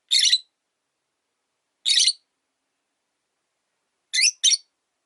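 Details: Indoor rosy-faced lovebird kept alone after losing its partner: two separate rasping high squawks, then a rapid double chirp near the end, all harsh and bright.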